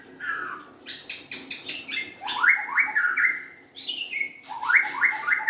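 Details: White-rumped shama: a quick burst of rattling, clicking pulses opens, then rising whistled sweeps repeat in series, a brief high slurred note, and another run of upslurred whistles.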